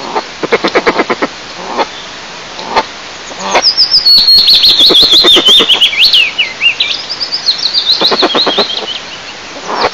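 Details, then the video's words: A pair of eastern imperial eagles at the nest during incubation, Lower Kama National Park, Tatarstan, May 2024; a chain of hoarse barks at the start and again near the end, with a loud, whistled songbird phrase between them. "Eagle Couple Discusses Incubation Scheduling ⌚🧐 Пара орлов обсуждает график инкубации"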